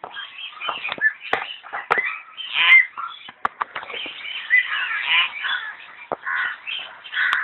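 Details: Myna at the Zoological Garden in Kolkata, India, giving a continuous stream of harsh, chattering and squeaky notes with sharp clicks mixed in, varied and unbroken throughout.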